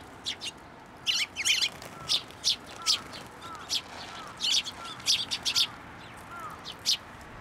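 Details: Young Eurasian tree sparrows flying to a plum tree at a shrine to be fed, recorded 25 May 2024: sharp high chirps in quick clusters, repeated many times, with faint soft lower whistles beneath.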